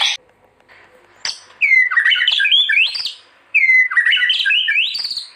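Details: Murai batu, or white-rumped shama, singing for use as a training recording for other shamas: after a near-silent start, two loud phrases of clear slurred whistles rise and fall, each lasting about two seconds.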